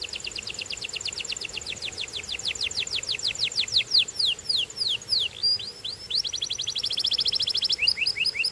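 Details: Singing Belgian canary delivering long strings of quick, high falling whistles, then varied rising and falling notes and a dense rapid trill toward the end.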